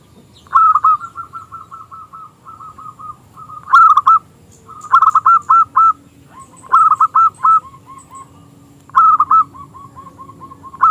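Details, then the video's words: Local zebra dove (perkutut) in full song with a small, crystal-clear voice, used to lure rival doves into singing: fast runs of soft rolling coos alternate with louder, clipped three- to four-note phrases about every two to three seconds. "Perkutut Lokal Gacor suara KECIL Kristal AHLINYA untuk pancingan perkutut lawan MANGGUNG"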